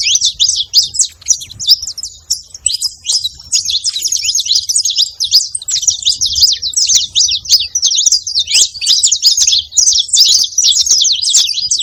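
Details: Saffron finch singing continuously, a dense run of high, sharp, rapid chirps and trills repeated without pause, with faint low background noise.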